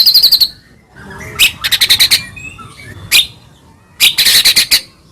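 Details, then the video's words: White-rumped shama in the morning, used to lure a pet bird to sing: spaced bursts of fast, high, harsh chattering notes with quiet gaps between. "PANCINGAN MURAI PAGI HARI GACOR FULL KRETEK"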